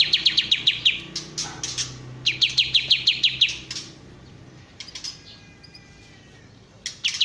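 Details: Bulbul, known locally as kapas tembak, singing in fast bursts of sharp, high, clipped notes, about ten per second in runs lasting under a second, with pauses and scattered single chips between runs; faint low background hum.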